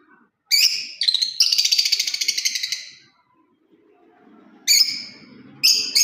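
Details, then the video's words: Lovebird parrot giving sharp chirps, then a long rapid rattling trill of pulsed shrill notes lasting about two seconds, followed by more single chirps over low background murmur. "Love bird parrot beautiful Chripping sounds voice"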